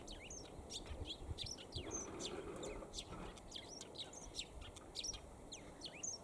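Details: Eurasian tree sparrow perched for a long time and calling in fine weather: rapid, high, short chirps and tweets tumbling out almost continuously, sharp downslurred and upslurred notes overlapping densely, with a soft low background murmur.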